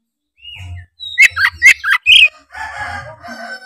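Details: Oriental magpie-robin singing as a lure to set off rival birds: a soft high whistle, then a fast run of loud, sharp, down-slurred notes, and then a rich warbled passage.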